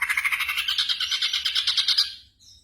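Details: Black drongo, on night-time training audio for caged songbirds, gives a continuous harsh rattle of rapid pulses for about two seconds that rises slightly in pitch before it stops.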